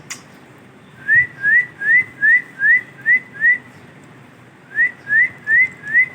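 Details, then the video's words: Dancing male ringneck parrot giving rising whistled notes in two runs, seven then four, evenly spaced about every third of a second, with a short pause between runs and a faint click at the start. "Dancing And funny sounds of ringneck Male parrot"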